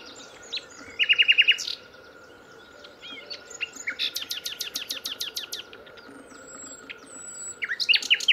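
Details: Nightingale singing live: short bursts of high rapid trills and clicking notes, a fast series of sharp repeated pips in the middle, with a steady low hum and background noise throughout.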